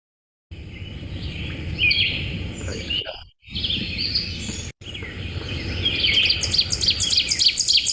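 Ovenbird song: loud, ringing two-note phrases repeated several times a second, building in volume toward the end, over a steady low rumble with another bird earlier.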